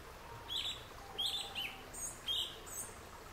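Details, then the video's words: Yellow-legged thrush singing. High, short phrases come in separate bursts about every half second to a second, with some a little louder and others softer, over a quiet background. "O CANTO DO SABIÁ-UNA"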